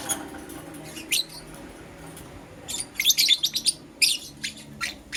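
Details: Pet lovebirds, a Green Personata and a Yellow Pastel Pied, chirping in the morning: a sharp high squeak near the start, then a quiet gap, then a quick cluster of shrill, scratchy chirps and a few single squeaks toward the end.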